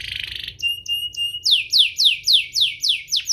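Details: Canary song played to provoke other canaries into singing: a fast buzzy trill, then a few rising whistled notes, then a run of loud, sweeping downslurred notes repeated about four times a second.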